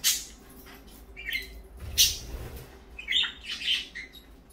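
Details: Morning parakeets calling indoors: a few sharp high chirps and short squawky notes spaced through the clip, over a faint low hum.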